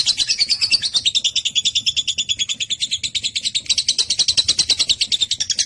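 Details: Lovebird in a long 'ngekek' chattering song, a sound meant to make other lovebirds answer: a fast, dense run of high, harsh pulses, about three per second in the loudness, running without a break for nearly six seconds.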